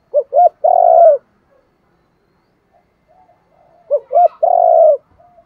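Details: Decoy spotted dove used for luring and training doves gives two cooing phrases about three seconds apart. Each has two quick hollow notes, then a drawn-out, burry coo that drops slightly at the end.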